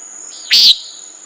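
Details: A single abrupt, buzzy nasal call from a common nighthawk, lasting about a quarter second, over a steady high insect tone.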